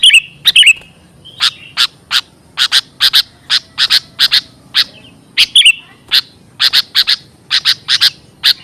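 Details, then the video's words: Sooty-headed bulbul lure audio for drawing in and training birds: short slurred whistles mixed with quick doubled chip notes repeated steadily over several seconds. "Suara pikat burung kutilang serba bisa! untuk masteran, pancingan, memikat, dengan cepat"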